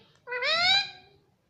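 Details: Talking pet parrot indoors saying "mummy": a single long, loud, nasal syllable that rises gently in pitch and then fades.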